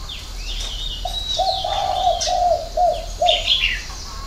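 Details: A spotted dove delivers a six-note 'hậu 3' coo: soft low hoots build into a sustained mellow phrase, then two short closing notes. Scattered high chirps from other birds accompany it.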